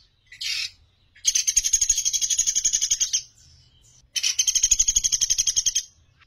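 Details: Sunda pygmy woodpecker calling clearly: a brief squeak followed by a long, dry, high-pitched rattle of evenly pulsed notes nearly two seconds long, a pause, then a second similar rattle.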